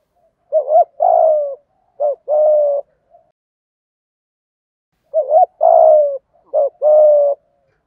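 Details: Spotted dove cooing in the 'giọng thổ' style, a recording meant to stimulate wild birds, with male and female voices: two phrases, about five seconds apart, of low, mellow coos, each a quick double note, then longer drawn-out coos.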